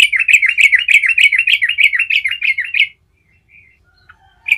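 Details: Yellow-vented bulbul in full 'gacor ngerol' rolling song, meant to provoke answering birds: nearly three seconds of fast, wavering, bubbling notes repeated several times per second, a pause, then singing resumes.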